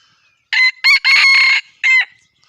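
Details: F1 junglefowl rooster crowing: four loud, harsh bursts, a short note, a second short note, a long drawn-out middle note, then a closing note, all in one burst of about a second and a half on a quiet background.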